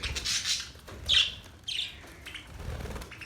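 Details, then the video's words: Budgerigars chirp in a few loud, high, slurred notes with soft scratchy chatter between them. "Budgies singing | Budgies sounds | Budgies talking | Budgies chirping sounds"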